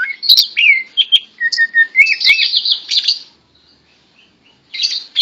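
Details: A tame greater green leafbird keeps singing in the hand, delivering a fast run of whistles, slurred falling notes and buzzy chatter, then a pause of a second before resuming.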